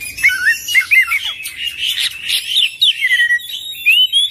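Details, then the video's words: Oriental magpie-robin in continuous rolling song full of imitations: looping whistled notes mixed with scratchy, buzzy chatter and short clear upslurred whistles. "Kacer Full Isian ngerol gacor dorrr"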